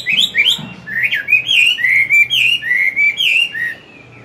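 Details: Old wild-caught Chinese hwamei in a cage, singing in the morning in forest style to rouse newly caught birds. Rapid, rolling whistled notes, mostly rising then falling, about three to four per second before the song stops.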